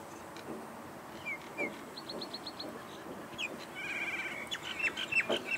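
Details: Several Common mynas calling as they forage over a dry section of Australian wetland: scattered whistles and a short series of thin falling notes, followed by buzzy rasps and chattering that grows louder toward the end.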